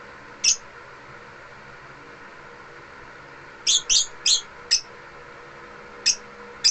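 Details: Pet African lovebirds singing at home in a small room: a lone piercing chirp, then a burst of four rapid shrill chirps and a few further sharp squeaks, over low indoor background noise.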